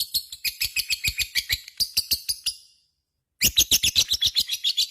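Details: Lovebird giving rapid harsh chattering ngekek, stopping for about a second of silence, then resuming the same fast shrill rattle.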